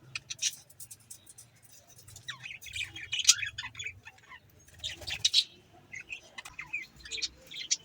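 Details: Budgerigars chirping: scattered short chirps and warbling notes in bursts, quiet stretches between, with a soft low hum underneath.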